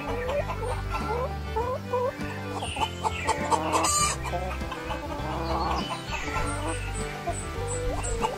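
A hen clucks in short, repeated bursts over steady background music.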